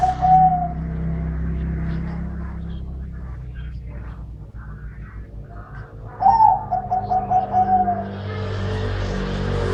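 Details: Dove of the middle-voice type coos twice, one phrase cut off at the start and a fuller pulsed, gently falling phrase later, over a constant bed of background music.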